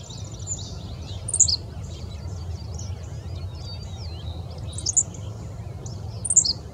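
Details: Henslow's sparrow at Bath Nature Preserve, Summit County, Ohio, on June 3, 2017. Three short, high, clipped two-note hiccups come at uneven gaps of about one to four seconds. Softer chattering from other birds and a constant low rumble sit underneath.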